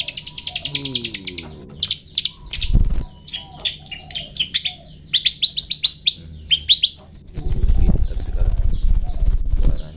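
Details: Long-tailed shrike 'toet toet' song for training cage birds: a busy, varied stream of high chips, trills and squeaky twitters, with low rumbling knocks in the background.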